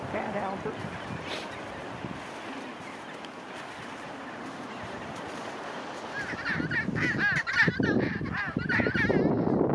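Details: Chinstrap penguins at a nest on one of the Aitcho Islands, South Shetlands, where a pair greet one another: loud, harsh, braying calls in rapid pulsing bursts after a stretch of steady wind and colony murmur.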